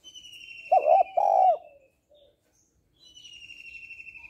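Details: A female spotted dove calling to stimulate males gives one loud, low, two-part coo, a short note then a longer one. A high whistled line slides downward above it, followed by a short pause.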